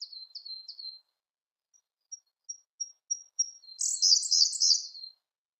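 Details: Siberian blue robin singing: a few quick high notes, then thin, evenly spaced pips that grow louder, ending in a loud, jumbled, high warbling burst lasting over a second.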